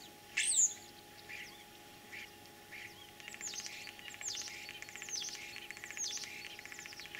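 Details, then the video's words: Common starling mimicking other birds in spring, Tver region, Russia, 9 April 2023: one loud shrill note at the start, then a quiet gap, then a run of fast descending squeaky notes and buzzy rattles repeated about once a second. "Кого передразнил скворец?.."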